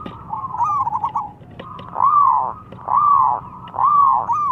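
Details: Zebra dove, local bird, calling and answered by a rival; a rapid stuttered trill then three long arched coos repeated about once a second, clear over low hum.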